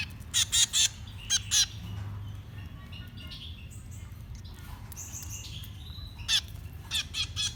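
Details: Baby birds at feeding time: a few short, harsh squeaky rasps in pairs early on, a long quieter gap with faint chirps, then more scattered scratchy calls.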